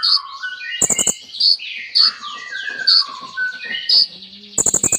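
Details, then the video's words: Kolibri ninja sunbird singing a varied song of mimicked phrases: bright high chirps about once a second over cascading downslurred whistles, with two bursts of fast clicking trills. "KOLIBRI NINJA GACOR FULL ISIAN MEWAH"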